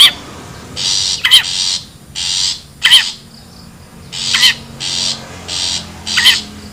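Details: Wild long-tailed shrike, recorded for use as a lure for birds: loud harsh rasping bursts of about half a second, repeated in series, broken by short wavering notes that dip and rise in pitch.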